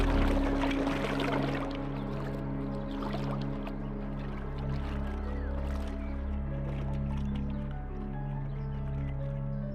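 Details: Documentary background music plays throughout, with sustained low tones and soft plucked notes, and no animal voice heard.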